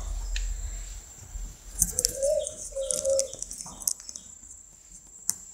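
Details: Spotted dove uttering two mellow, low coos in quick succession, accompanied by scattered sharp clicks and faint high chirps of other birds.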